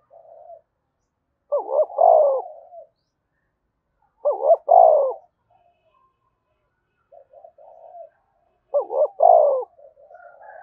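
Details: Spotted dove cooing, used to prompt other doves to start cooing: three phrases about three and a half seconds apart, each two short hooting notes then a strong, longer coo, with quiet murmurs between.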